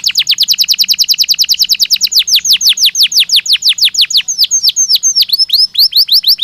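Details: Belgian canary singing as a stimulus for training other canaries: rapid rhythmic series of high descending sweeps, about eight per second, slowing and changing shape halfway through.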